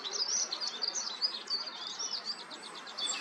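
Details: A Eurasian wren pours out a loud, rapid, high-pitched territorial song of trills and sharp notes, continuous throughout, over faint background hiss.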